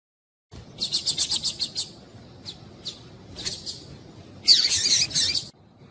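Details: Calls of a female double-collared seedeater meant to stimulate a male: a rapid run of about eight high chirps, scattered single notes, then a dense, harsher burst lasting about a second before stopping.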